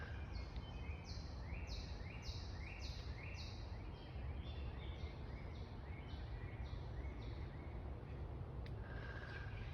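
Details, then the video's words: A woodpecker, heard but unseen in woods during a walk, gives a steady run of sharp, high, repeated notes, several per second, over heavy low wind rumble; thought to be finding insects to eat. "I hope you guys can hear that. That is a woodpecker."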